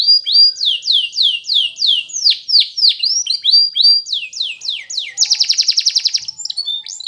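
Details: Song of a canary used to train canaries: repeated down-slurred whistled syllables at a steady pace, followed by a very fast, loud rattling trill and brief high notes.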